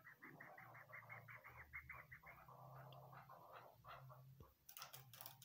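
A female Chukar gives a fast run of clucking notes that slow and soften, over a low indoor hum, followed by sharp tapping clicks.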